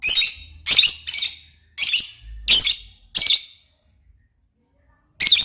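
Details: Lovebird chattering busily: six rapid harsh, shrill squawks in quick succession, a pause of nearly two seconds, then one more loud screech.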